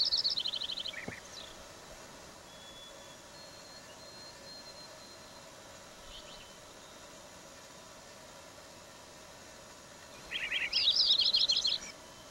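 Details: A Lincoln's sparrow gives a brief high, bubbly burst of notes, then a longer jumbled trill about ten seconds later, over a steady low background hum.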